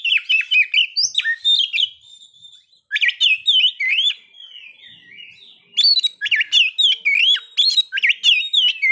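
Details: Caged white-rumped shama (kacer) song used to provoke breeding condition and aggression: rich whistled phrases of rising and falling notes, loud bursts separated by a quieter gap around the middle, with sharp chips mixed in.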